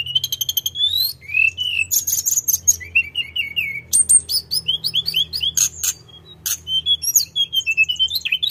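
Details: Sunda robin, called tledekan gunung, in full nonstop rolling song: a rapid, varied run of high clear whistles, sliding notes, trills and sharp chips, phrases changing every second or so, with a faint low hum underneath.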